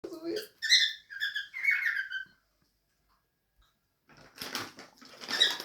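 Two cockatiels trade bright, warbling chatter, then break into scratchy, speech-like babbling after a pause.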